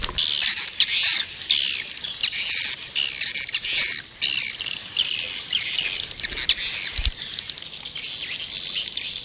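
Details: Attraction call of the white-nest swiftlet: a long series of shrill, squawking chirps in quick, nearly continuous bursts, softening into lighter chatter at the end.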